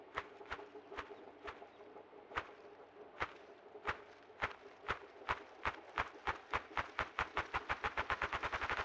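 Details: Ruffed Grouse drumming at a drumming log in central Alberta, caught on a trail cam: dull thumps about half a second apart that speed up steadily into a rapid whirring roll over nine seconds.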